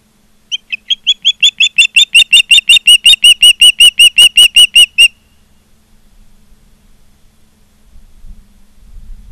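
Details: An osprey at its Charlo, Montana nest on 16 September 2023 gives a long, loud, very regular run of about twenty-five piercing chirps, nearly three a second, which stops abruptly, followed by quiet rumbling.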